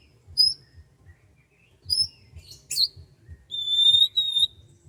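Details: Morning birdsong over rice fields: scattered high, pure whistles, a brief buzzy burst, then a long, steady, sustained whistle split into two parts, with a faint low rumble beneath.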